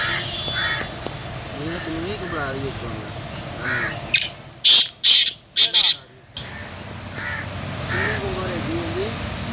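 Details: Kept black francolin calling loudly with four or five rasping, broad buzzy notes in a rapid burst, preceded and followed by a man talking and soft background hum.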